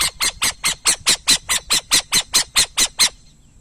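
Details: Harsh, hissing screech notes from a burrowing owl, fired in a fast, even series of about fourteen over three seconds, each note rasping and broadband, then silence with faint low background noise.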